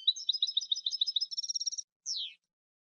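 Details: European goldfinch cante from a new CD: a continuous rapid twittering run of liquid, tinkling notes that speeds into a tight trill, then ends with a single sharp downslurred call.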